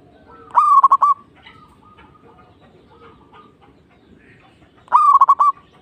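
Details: Local zebra dove singing: a burst of four or five quick, staccato cooing notes near one pitch, then a quiet pause with soft faint coos, and a second matching burst about four seconds later.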